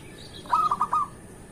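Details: A local zebra dove sings a brief phrase used as a morning lure: one quick burst of three or four clipped, bubbling coo notes lasting about half a second, with quiet hiss on either side.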